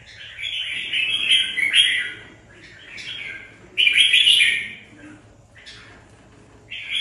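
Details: Competition red-whiskered bulbuls prepared for a contest give loud, jumbled, whistled song phrases about two seconds long, separated by softer chatter, with a sharp burst of song near the end.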